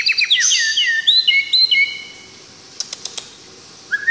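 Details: White-rumped shama from Tangse, Aceh: a rich run of varied whistled and sliding notes for two seconds, then quiet with a few faint clicks.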